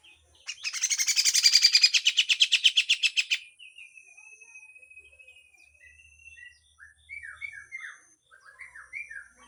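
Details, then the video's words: Grey-cheeked bulbul giving harsh full song with raspy notes, a tutor recording: a loud buzzing rattle for about three seconds, a long thin level whistle, then scattered short slurred chirps. "MASTERAN CUCAK JENGGOT FULL KASAR DAN BESETAN"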